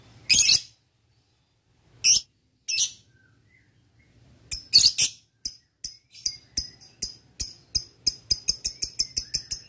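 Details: Male lovebird calling a rival for a lure: three separate harsh shrieks, then a ngetik series of sharp high ticks that speeds up into a quick steady run.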